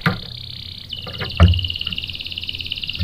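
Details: Canary song used as a lure to provoke a male into answering with rolling song: a steady, fast buzzy trill held for about two seconds, with knocking and thumping sounds in the background.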